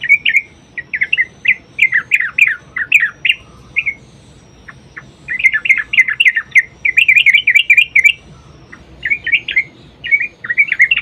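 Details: Yellow-vented bulbul singing a long, rolling fighting-style song as a lure for other bulbuls: repeated warbled, bubbly phrases of one to two seconds separated by short gaps, with a steady low background hiss.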